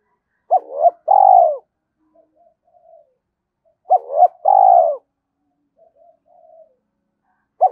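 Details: Decoy spotted dove calling. Two loud cooing phrases come about three and a half seconds apart. Each opens with a short clipped double note and ends in a longer, low, steady hum, with faint soft notes in between.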